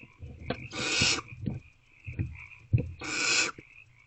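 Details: Wild barn owls at a nest box at night, around 2:15 to 2:33 am on 28 February 2024, during food deliveries: two long, harsh, breathy hisses about two seconds apart, mixed with soft knocks and thumps inside the box.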